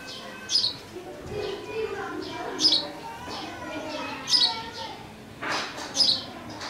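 A sparrow gives short, high chirps about every one and a half to two seconds, over a steady murmur of background noise.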